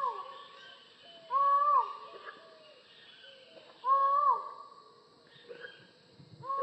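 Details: Collared forest falcon giving loud, moaning single notes that swell and then fall off, with about two strong calls and softer ones between them, over a chorus of higher forest bird calls.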